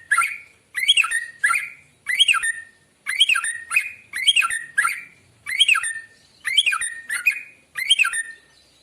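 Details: Morning singing of a white-rumped shama, meant to lure birds: a long run of evenly spaced whistled phrases, each a bright twisting flourish, about a dozen in a row with short gaps.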